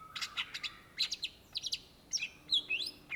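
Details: Greater green leafbird (Cucak Ijo) singing in lively 'gacor' style: quick bursts of high chirps and sharp notes, then bright whistled phrases that slide down toward the end, with a quiet background.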